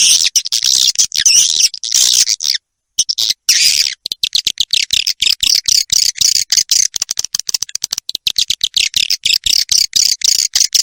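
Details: Swiftlet roosting lure, the 'ratu birahi' call, played to attract swiftlets: continuous shrill, hissing twitter mixed with rapid clicks, one short silent break near the third second, then dense chattering throughout.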